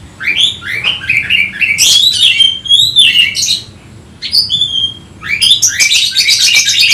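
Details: Worked-up Oriental magpie-robin, called kacer in Indonesia, singing to draw out a rival: continuous varied whistles and buzzy phrases, a short pause, then a dense harsh chattering burst.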